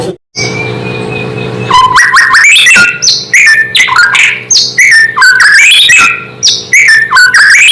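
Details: White-rumped shama song that provokes other shamas: a long held whistle over low hum, then a lively stream of loud varied whistled phrases with sharp upward slurs and high piping notes.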